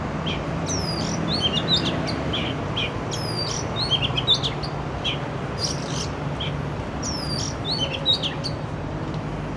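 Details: Oriental magpie-robin singing in an urban area, recorded with a Canon R6: varied clear whistles, upslurs and downslurred notes and short chirps in a rambling, continuous sequence over a constant low city hum.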